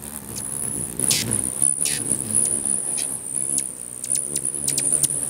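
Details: At a crowded feeder in Bigfork, Montana, hummingbirds fight for territory, producing a steady piercing chirp chorus punctuated by sharp buzzy zips and clicks, while fluttering wings make a low rumbling hum.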